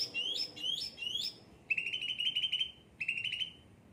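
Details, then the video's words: Captive cucak ranting singing: three quick rising slurred whistles, then two bursts of fast, buzzy, level trilling separated by a short gap. "gacor cucak ranting"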